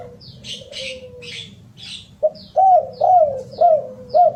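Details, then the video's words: Spotted dove cooing: a soft falling coo, then four loud arched hoots roughly twice a second. Bright chattering chirps from another bird sound at the start. "Kicau derkukuk"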